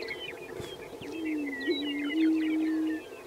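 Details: At a South Dakota lek on Fort Pierre National Grasslands, a prairie chicken gives a long, even, low hooting tone lasting nearly two seconds, with a small hiccup near its start. Scattered high bird chirps run above.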